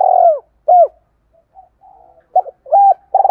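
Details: Spotted dove cooing, used as a lure call to draw in wild doves: loud mid-pitched rounded coos in short repeated phrases with gaps, a long first note followed by shorter hooked notes, clean and without other sounds.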